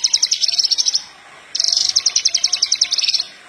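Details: Horsfield's bush lark, a lively singer used to train other larks: two bursts of rapid, high buzzy trills, each about a second or more, made of quick repeated notes separated by a short pause.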